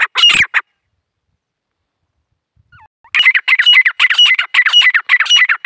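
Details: One short shrill burst, a long pause, then a female grey francolin of the dakhni type, calling in the jungle in India, launches into a quick, regular series of loud scratchy notes.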